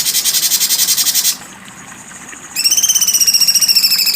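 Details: Cucak cungkok with a dense, harsh rattle. A quiet pause follows, then a clear, rapid trill of high pulses holds an even, slightly falling pitch.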